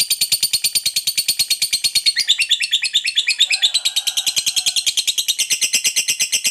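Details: Fighter lovebird giving the long ngekek trill used to provoke other lovebirds: a loud, rapid, unbroken chatter of harsh, high, buzzy notes, about three per second, running steadily for over six seconds.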